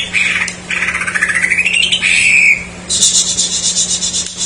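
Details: Greater green leafbird song filled with jamtrok phrases, used as a lure for untrained or silent birds: a rising series of mid-pitched whistled notes, a steady held tone, then a high buzzy chattering burst.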